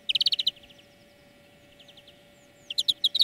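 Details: In a training song lesson, a European greenfinch gives a fast rattling trill of bright chirps, then soft fading notes and near quiet, before another quick burst of ringing trill notes.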